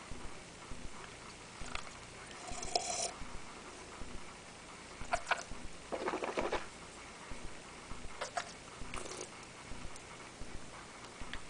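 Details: Pet parrot mimicking a person sipping coffee and swallowing, heard as soft, scattered slurping bursts: brief noisy smears, several short clicks, and a longer rustly sip mid-clip, over a quiet indoor hiss.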